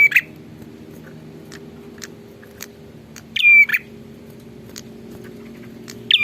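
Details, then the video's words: A prinia, described as lively and in full song, giving a loud buzzy phrase: a harsh onset, a steady high whistle, then a rasping end. The phrase is partly repeated at both edges, with faint ticking and a low steady hum behind. "suara burung prenjak super gacor"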